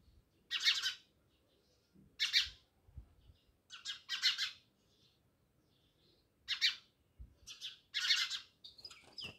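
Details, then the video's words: Chirping house sparrows living beside a village house at Jamnagar: loud single and double chirps spaced about two seconds apart, with faint low noises between. "Natural Sound Of Sparrows | House sparrows Chirping"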